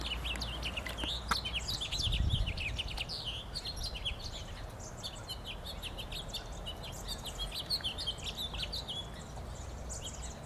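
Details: House finch, a red finch, singing in a park in Oak Bay on 27 January 2012. A long, jumbled, high warble of quick twittering notes runs throughout over a steady low rumble of background noise.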